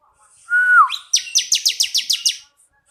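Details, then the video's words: Bar-winged prinia singing, recorded as tutor song for training other songbirds: a clear whistled note that falls at its end, followed by eight rapid, evenly spaced buzzy high chips. "Kicauan Suara Burung Ciblek Kristal || Cocok Buat Masteran"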